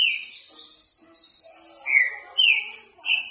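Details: Green-winged saltator, a soft-voiced bird kept for song training: a few faint high notes, then three loud slurred whistles about half a second apart, each falling or rising, with a low murmur beneath.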